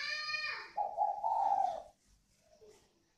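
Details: Spotted dove from northern Vietnam, one of a caged pair with the 'còi vang' voice style, gives one sustained, low, warm coo of about a second after a brief nasal harmonic sound, then a faint short note follows.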